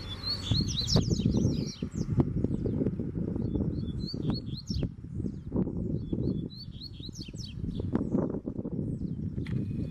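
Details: Wild free-flying Double-collared Seedeater challenging a caged male, giving repeated phrases of high, rapid, slurred whistles every few seconds. Frequent low thumps and rustling handling noise run underneath.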